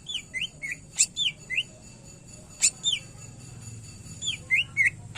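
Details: Cucak ijo, the greater green leafbird, repeating short hooked whistled notes in little series, broken by sharp high clicks, with steady faint hum in the background.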